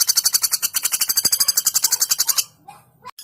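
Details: Female common flameback in a training recording: a fast, even rattle of sharp high notes, roughly ten per second, lasting over two seconds before fading to near silence.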